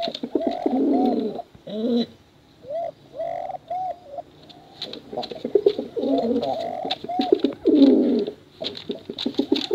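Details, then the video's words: Male and female pigeons kept for cooing contests utter deep, rolling coos mixed with short upward-bending notes, the phrases running almost without pause, with scattered clicks behind them. "Suara Bekuran Burung Merpati Lomba Hutan Dara"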